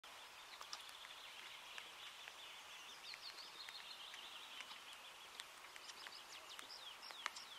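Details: Eurasian teal in Lahemaa National Park, Estonia, in June 2017: several birds give short, high, clear whistled 'krik' notes at an irregular pace over a steady high hiss.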